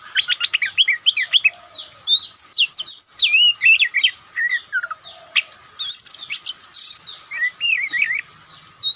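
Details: White-breasted Oriental magpie-robin (Kacer Poci) giving a relaxed, highly varied song: rapid clusters of high whistled notes and quick zigzag trills, with short pauses between bursts and a few very high piercing notes near the end.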